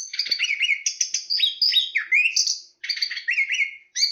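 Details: Chestnut-capped thrush (Zoothera interpres) singing a rich, varied phrase of clear whistled notes that rise and fall sharply, delivered in a quick run of short segments with one brief pause; no other sounds.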